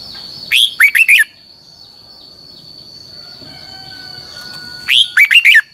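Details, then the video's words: Red-whiskered bulbul voice-training song in the double twisted long style: an upward whistled note then three rapid slurred chirps, repeated after about four seconds, with a steady high whine and faint thin tones between phrases. "luyện giọng cho chào mào hót hay - Giọng kép xoắn dài"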